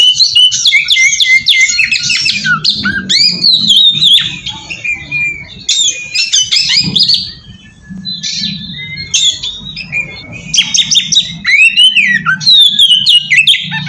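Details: Oriental magpie-robin lure song meant to draw rival magpie-robins into answering: a long, rapid, loud medley of clear whistles, upslurred and downslurred notes, sharp chips and scratchy squawks, with a brief quieter pause midway.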